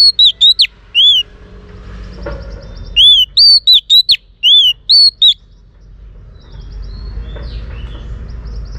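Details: Female Oriental magpie-robin song meant to stimulate males: two bursts of loud, clear whistled notes, arched and slurred, given in rapid strings of four to six, separated by quiet with faint low background hum.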